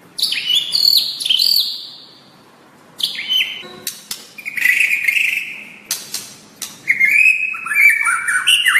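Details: White-rumped shama song used to tutor kept birds: varied phrases of clear whistles that slide downward and jump between pitches, with brief pauses and a few sharp clicks.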